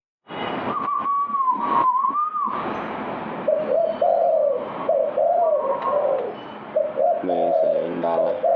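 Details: Spotted dove cooing: a sustained, wavering hoot followed by a series of lower, mellow coos repeated in a loose rhythm, with some background rustle.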